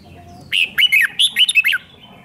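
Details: Red-whiskered bulbul, 'rik' song used to excite caged birds, delivers a single lively phrase of about seven sharp, slurred whistles dropping and rising in quick succession, in a quiet setting.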